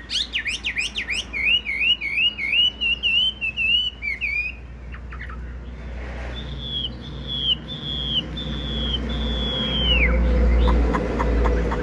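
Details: Loud-voiced tame Chinese hwamei, caged, with yellow legs and bill: quick zigzag whistles run into a steady trill, then a series of long level whistled notes, each about a second, over a rising low rumble.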